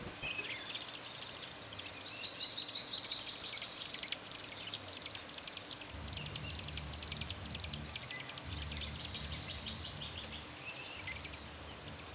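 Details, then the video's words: American robin nestlings in a satellite-dish nest next to a screened porch, begging while being fed; a dense, continuous high-pitched buzzing chorus of squeaks that swells and holds for most of twelve seconds, with a faint low hum underneath. "Baby Robins eating"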